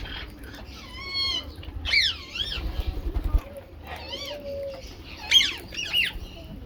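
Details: Rose-ringed parakeet calling while eating mixed food: a handful of arched, harmonic-rich squawks rising and falling in pitch, spaced irregularly over several seconds, with soft low rumbling underneath.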